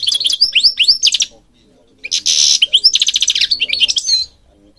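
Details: European goldfinch song from Morocco for stimulating birds: rapid high chirps and rising slurs, a short pause, then a buzzy rattling burst followed by quick twittering notes.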